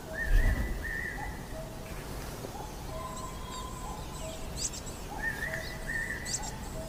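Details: Coal tit pair nesting in a tree hole and busily carrying food to their nestlings. Thin, very high, short notes are heard, with steady whistled tones that come back and a few lower, softer notes over faint background noise.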